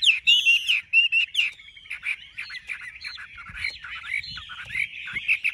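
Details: Chinese hwamei, a big-bodied bird offered for sale in Vietnam, opening with loud ringing whistles, then continuing in a quieter, rambling warble of mixed short notes.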